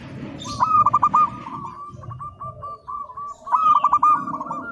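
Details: Local Indonesian zebra dove (perkutut) singing vigorously, a master recording for training. It gives rapid bursts of short cooing notes with a mid pitch. The bursts come in clusters at the start and near the end, with fainter doves behind.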